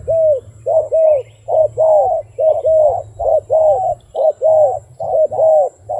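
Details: Continuous wild dove cooing, mellow arched notes repeated roughly once per second in a steady unbroken series, with faint high chirps from another bird and a low hum.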